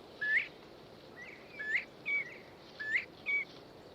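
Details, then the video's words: A male Northern Bobwhite calls for a mate, then listens for the hen's reply: clear whistled phrases, an upslurred note and then a short flat one, repeated about every 1.3 seconds over a soft hiss. "the male Bob White calls for a mate then listens hopefully for the sweet reply of the buff colored hen"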